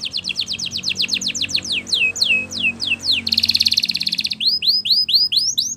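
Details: Spanish Timbrado canary training song with rapid descending whistled notes slowing into a few drawn-out sweeps, then a dense metallic rattle and a series of upward-curving whistled notes.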